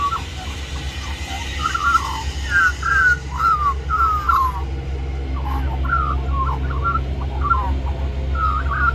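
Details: Little magpie singing persistently for more mango, Cirillo Reserve, New South Wales, Australia; string of short looping warbled whistles, brief pause mid-phrase, then quicker twisting notes over loud low-frequency rumble.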